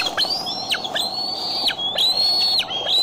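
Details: Decorah bald eagle filmed July 6, 2011, afternoon or evening: close, loud high whistles, long and gently rising with sharp falling ends, given in quick succession.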